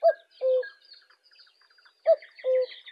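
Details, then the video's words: Cuckoo recorded outside Indonesia, said to sound different from Indonesian birds: a low two-note 'cu-ckoo', the second note lower and longer, given twice about two seconds apart, with faint chirping birds behind. "Suara burung kedasih di luar negeri"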